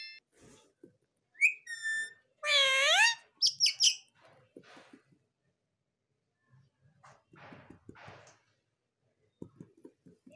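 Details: Monu, a pet talking Rose-ringed (ringneck) parakeet, produces a burst of harsh, rising, voice-like squawks and short mimicked phrases, followed by softer human speech.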